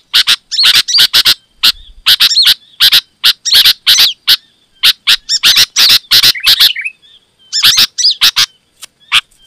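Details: Loud, busy sooty-headed bulbul song for luring wild bulbuls: tightly packed scratchy chatter with curving whistled notes woven in, in several bursts separated by short silences.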